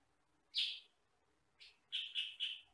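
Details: Kutilang sutra, a sooty-headed bulbul said to sing one or two fairly loud sound types, gives one strong harsh chirp, a softer note, then three rapid loud chirps in a row.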